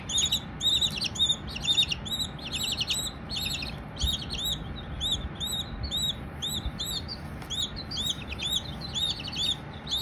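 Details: A group of baby Silkie chickens chirping: loud, high, down-curving peeps in rapid clusters, thinning to scattered single notes midway, then busy again, with a few faint knocks.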